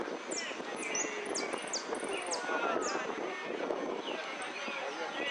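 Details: A yellow hooded siskin at a song competition in Monte Grande, 30 October 2016, sings a fast, very high twittering song of sharp down-slurred notes and short trills, over a steady murmur of people talking nearby.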